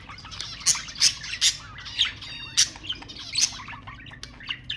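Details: Budgerigars heard to stimulate mating: a run of harsh, noisy squawks roughly every half second over steady high chatter, with a brief buzzy trill midway.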